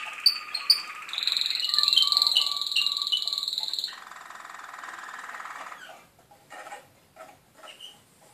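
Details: Malinois canary song from Skopje: loud pure whistled tones and short glides at first, then a lower buzzing roll that fades out, followed by quiet scattered clicks.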